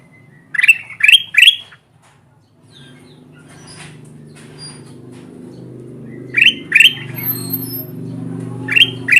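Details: Lively gacor kutilang emas bulbul used as a lure to draw wild birds to lime sticks: bursts of three rising, bright upswept notes, then a pause with soft low hum, and later two more short bursts.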